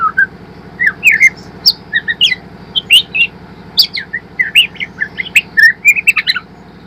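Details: White-rumped shama, a spotted young bird learning to sing, used as a lure to bring birds into full song: a lively run of varied whistles, chirps and sharp clicks, rising and falling notes packed closely, over a steady low mechanical hum.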